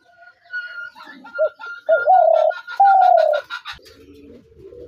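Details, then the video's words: Spotted dove giving a few short soft lead-in notes, then two strong, drawn-out coos, the second higher and sloping down, over a steady faint tone, ending with a clatter. "তিলা ঘুঘুর আরজিনাল ডাক ২০২৩/gugu pakir dak"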